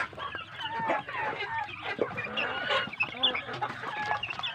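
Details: Chorus of big farm-raised village chicken chicks: constant overlapping high peeps and short rising cheeps from many birds, busy and unbroken throughout.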